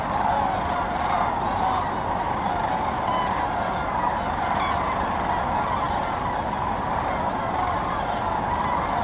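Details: Gathering sandhill cranes in large flocks, Muscatatuck National Wildlife Refuge, Indiana; overlapping throaty rolling calls merge into a steady roar, broken by a few brief, clearer calls from nearer birds.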